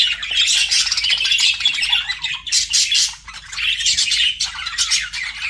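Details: Budgies chattering while flirting: continuous scratchy warbles and bright chirps, loud throughout with brief dips, a busy flock sound.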